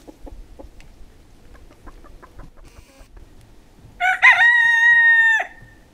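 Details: A Pavlovskaya rooster crows on a winter day in Barnaul, Siberian Altai, November 28, 2015: faint clucks and taps, then a loud crow of two quick notes and a long sustained tone that ends abruptly.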